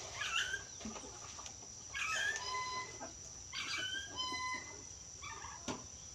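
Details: Yellow-crested cockatoo said to talk well, uttering four short harmonic speech-like bursts about one to two seconds apart, with a soft background hum and a sharp click near the end.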